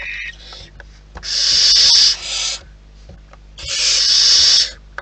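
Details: Wild barn owls at the nest give two long, rasping, hissing screeches about two and a half seconds apart. Quieter scratchy sounds fill the gaps.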